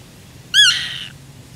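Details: Black-tailed godwit of the nominate subspecies Limosa limosa limosa, Uitkerkse Polder, Belgium, June 2016; one loud nasal, slightly rising call about half a second long, with a quiet low hum behind it.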